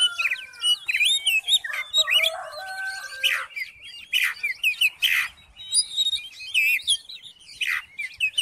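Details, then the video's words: Varied, loud song of an Oriental magpie-robin, played to coax a silent bird to sing: quick whistled phrases with rising and falling slurs, harsh rasping bursts and short chirps in rapid succession. "COBA DIPANCING DENGAN KICAUAN KACER INI"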